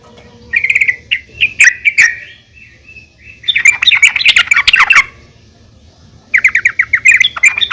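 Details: Female yellow-vented bulbul calling to other bulbuls to prompt them to sing: bursts of bubbly, chattering notes, some rising sharply, separated by pauses, ending in a quick repeated series of clipped notes.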